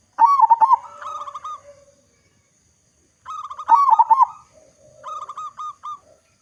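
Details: Local zebra dove, a frequent, loud singer used as a lure for other doves, repeats phrases of rapid, rolling coos in three bursts, each followed by softer clipped notes and a low trailing hum.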